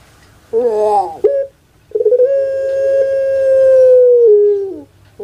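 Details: Domestic puter pelung dove kept in Indonesia gives its prized drawn-out coo: a short rising note, a pause, then a long steady tone held for almost three seconds that steps down and fades, then another note begins.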